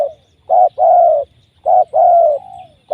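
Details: Wild trapped spotted dove with a very strong voice, calling close: a short coo followed by a long sustained coo, phrase repeated, the second ending in a trailing fall; quiet background.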